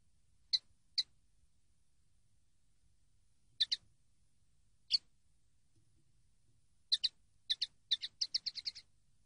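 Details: Common linnet song from a training CD: clean, dry, high twittering notes. Scattered single and paired chips build to a quick run of about eight rhythmic notes at the end, with no other sounds.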